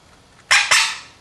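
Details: Pet Quaker parrot indoors, going about its day practising favourite words and phrases; two loud, harsh, broadband squawks in quick succession, about a fifth of a second apart, in a quiet room.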